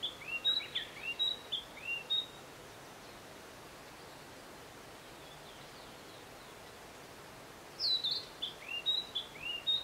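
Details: Narcissus flycatcher at Matsunoyama Onsen, where a blue-and-white flycatcher was awaited. Short clear whistled phrases, slurred and chirpy, open the recording. A long quiet gap follows before a further string of bright, rising and falling notes.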